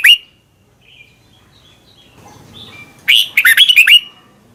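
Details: Red-whiskered bulbul song played each morning for young birds to learn to copy: a lone clipped whistle, a pause, then one fast bubbling phrase of bright, warbled notes dipping and rising.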